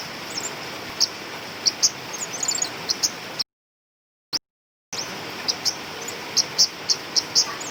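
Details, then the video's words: Female flowerpecker's lure calls: thin, high, clipped tick notes, some doubled, scattered across the recording over constant hiss, with a brief cut to silence midway. "Suara Master/Pikat Burung Cabai Rimba Betina"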